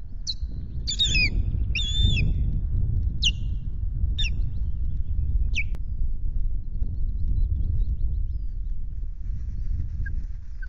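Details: Osprey at the RSPB Loch Garten nest on 26 May, on a day that ends with half a fish. About six sharp, high whistled chirps come in the first six seconds, some doubled, over a steady low wind rumble.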